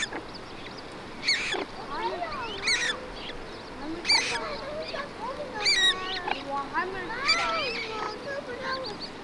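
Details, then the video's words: In Germany a common moorhen mother feeds her fluffy chicks; sharp, harsh call bursts sound about every one and a half seconds, between them wavering, nasal whistled notes that slide up and down, over a constant low hiss. "Feeding Time: A Bird Mom’s Love, Bird Mom cares for her fluffy chicks, bird sounds"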